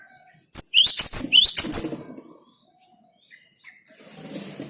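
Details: Gelatik batu, the cinereous tit, sings a short burst of bright rising two-part whistles, roughly six phrases in just over a second, then falls silent with faint low background rumble and a soft hiss at the end.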